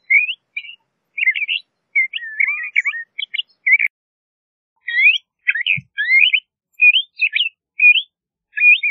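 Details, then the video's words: Song of a LeConte's thrasher, a run of quick, varied chirped and slurred phrases, each different from the last, sung at a steady pace with short gaps and no other sounds. "LeConte's Thrasher Bird Singing, Calling, Chirping - Cuitlacoche Pálido Canto"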